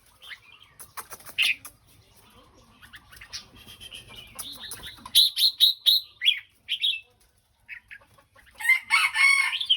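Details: Red-whiskered bulbul singing: a series of short, bright whistled notes in quick succession, then a brief warbled burst, with scattered sharp clicks and taps throughout.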